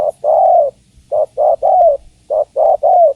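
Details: Female spotted dove calling a male: rapid run of soft hoarse coos in groups of three, short notes leading into a longer, slightly falling coo.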